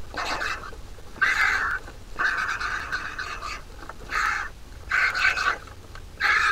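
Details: Large vulture chick in the nest fed by its mother: irregular harsh, scratchy calls, some drawn out over nearly a second, others brief, with gaps between bursts.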